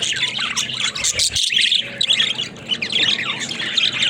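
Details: Talking pet budgies pour out busy, high twittering warbles and scratchy squeaks, overlapping without pause apart from a short dip near the middle.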